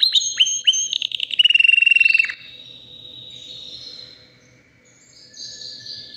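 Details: Canary, white and about three years old, delivering fast high trills and a rapid rattling series that fades into a quieter, sustained whistled note, then a soft thin tone at the end.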